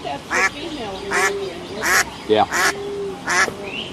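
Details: Ducks and ducklings swimming on a pond give harsh, nasal quacks, roughly one every three-quarters of a second, over a steady lower tone, with a voice speaking in the background.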